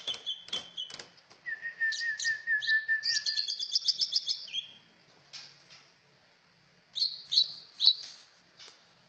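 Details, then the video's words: Lively cucak ijo song mixing sharp clicks, a wavering lower whistle and a fast, high twittering run, ending with a few bright, high notes. "Merdunya burung trucak ijo"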